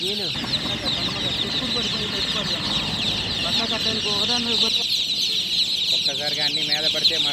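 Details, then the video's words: Just-born chicks chirping loudly at night, a constant high peeping mass, overlaid by a person speaking and several voices in the lower range. "Tot Murgi Chicks Chirping Sounds - Just Born Baby Gallina FRACAS Chicks Piar Loudly Sound"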